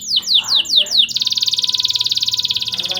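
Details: Nonstop-singing canary used to excite young canaries into breeding condition: a few loud descending sweeps followed by a fast, buzzy, sustained trill of tightly packed notes.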